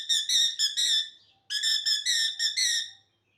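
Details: Parrot gives bright, clear whistled notes in short clustered bursts, two groups of rapid repeated syllables separated by a short silence, each note sharp and slightly buzzy with no other sounds.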